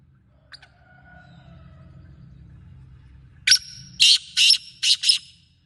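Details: Black francolin (kala teetar) calling in Sindh, Pakistan: after a faint thin note, a loud run of five harsh, buzzy bursts in quick succession, the second and third longest, ending abruptly over a quiet low rumble.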